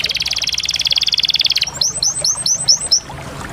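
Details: Canary delivering a fast pulsed roll for over a second, followed by a series of about ten quick upward-flicking chirps.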